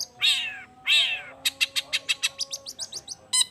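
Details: Long-tailed shrike in energetic lure song meant to set other shrikes answering: two loud, drawn-out descending mewing notes, then a fast even series of short clicking chips, ending in one harsh note.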